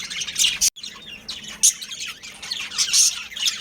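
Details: Budgerigars, a breeding pair, giving a few high, scratchy chirps and warbles in short bursts, broken by a brief abrupt silence near the start.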